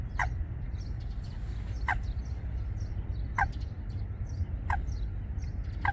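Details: At Wangsong Lake, a Eurasian coot pair starting a nest in the reeds gives five abrupt, clipped calls spaced roughly 1.5 seconds apart; faint twittering of other small birds and a low background rumble continue throughout.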